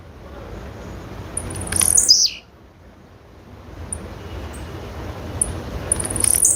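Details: A female blue-black grassquit calls once with a high, thin descending slur after quick ticks, then stays quiet for a spell before soft high chips and the onset of another call.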